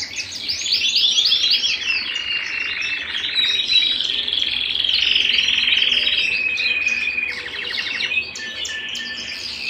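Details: Canary at home in full song: dense, rapid trills and bright chirps run without pause, shifting into a steady buzzing roll and then a clear whistled tone near the end.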